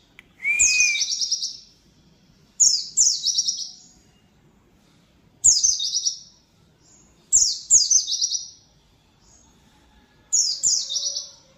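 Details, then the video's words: Oriental white-eye in a lively burst of song. A brief rising whistle leads into five spaced volleys of high, thin, buzzy trills that tumble downward, several given as quick doublets, roughly every two seconds against a quiet background. "JANGAN DI PUTAR BAHAYA!!!!NANTI PLECI NYA BISA GACOR BONGKAR MATERI"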